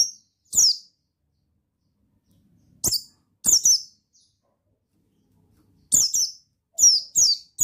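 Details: Pleci buxtoni white-eye male, a sound played to goad another bird into singing: thin, high downward-sweeping notes in scattered bursts, single and paired, about ten in all, over a silent background.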